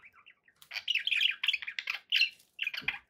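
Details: Pet budgerigars in a relaxation recording: soft short chirps at first, then a dense run of scratchy, warbling chatter broken by brief pauses, ending in a burst of buzzy notes with a faint low thump.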